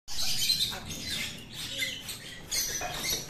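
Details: Grey parrot fighting with another grey parrot and an Alexandrine parrot gives harsh, raspy squawks and screeches in quick, overlapping bursts, loudest at the start and again near the end, with scuffling underneath.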